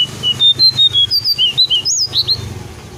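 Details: Brown shrike, played as a bird lure: a rapid sequence of short pure whistles, alternating higher and lower, ending with a couple of upward-sliding notes, over a low steady hum.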